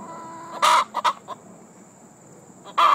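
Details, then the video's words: Laying hen's egg song after she has just laid: a loud harsh squawk, a few quick clucks, a pause, then another raspy squawk, over a soft background hum and a constant high-pitched whine. "Egg laying song"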